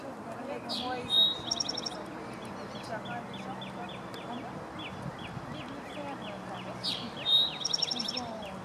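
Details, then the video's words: Eastern Towhee at Columbia, South Carolina, USA, on 7 April 2017, sings two phrases about six seconds apart, each a bright opening note and a fast high trill, while another bird chips over low rumble. "Eastern Towhee singing / Tohi aux yeux rouges chantant"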